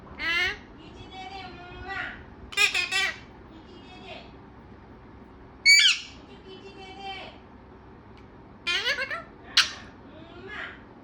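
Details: Chatty parrot producing a string of raspy, harmonic squawks and voice-like syllables in irregular bursts about every second or two, some bright and strident, others softer and drawn out.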